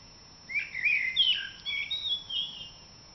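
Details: A common blackbird sings at dawn in April, opening the dawn chorus with one continuous warbling phrase of fluty, slurred notes that rise and fall for about two seconds over a quiet background.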